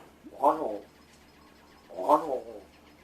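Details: A captive rescued large-billed crow rehearses its calls indoors while its owner pretends to be asleep. Two drawn-out, hoarse, slightly descending caws sound about one and a half seconds apart over a quiet background.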